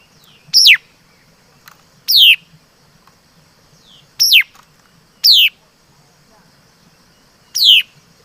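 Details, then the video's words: Laughingthrush (mi đất) singing five sharp, high whistles that slide rapidly downward, each under half a second, separated by uneven pauses of one to three seconds; soft low-pitched hum in the background. "Suab Noog Ncuas Quaj Zoo || Tiếng Chim Mi Đất Hót Chuẩn"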